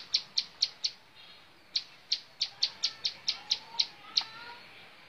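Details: Bar-winged prinia song of the montal mantul style, bright high chips in short bursts separated by brief pauses, faint background hiss.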